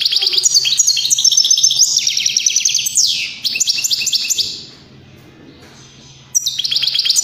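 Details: Continuous high trills from a European greenfinch, including a downward sweeping note, then a pause before the rapid twittering resumes.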